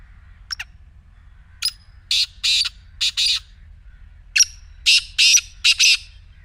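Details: Black francolin calling: a short thin note, then two sets of harsh, grating, buzzy bursts, each set of three or four rasping syllables in quick rhythm, loud against a quiet background with low hum.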